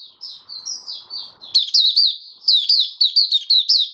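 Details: White-eye (mata puteh) in buka sing, open singing, dated 08012022: soft high warbled notes, then louder bursts of quick slurred, chirping phrases from about 1.5 seconds on, all very high-pitched, with a faint low murmur underneath early on.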